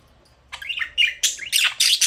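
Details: Budgerigar chirping close up indoors: rising whistled warbles followed by loud, rapid scratchy squawks in quick succession.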